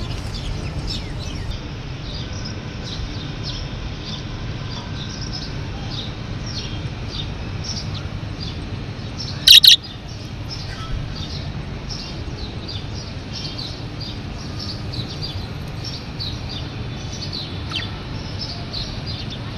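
Budgerigars chirp steadily in a busy flock chatter of quick, high twittering notes.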